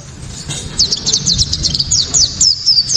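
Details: White-eye giving its shrill 'tembakan' song, a loud, clear song for provoking other white-eyes to sing: a quick run of very high, downward-slurred chirps in rapid succession after a short quiet start.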